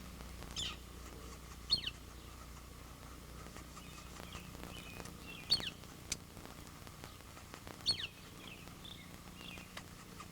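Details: A young Yellow-shafted Flicker in a nest hollow in a dead tree gives sharp, high, downslurred chirps, a few every couple of seconds, calling loudly for food over a low steady hum; the male brings ants and grubs; three young inside.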